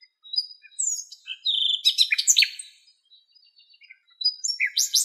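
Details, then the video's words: Female Western black-eared wheatear with nesting material, Greek countryside: high thin whistles sliding into a dense scratchy jumble of notes, a quiet gap, then a fresh burst of bright chirps. "Western Black-eared Wheatear"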